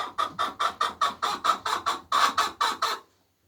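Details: Laying hens give their egg song: roughly a dozen loud, harsh clucks in steady rhythm, close to four per second, ending abruptly in quiet.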